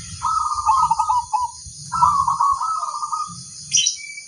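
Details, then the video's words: Local zebra dove singing hard: two long phrases of rapid, rolling coo notes, the second a little rising, followed by a brief high chirp from another bird over low background rumble. "suara sang masteran burung perkutut crosing"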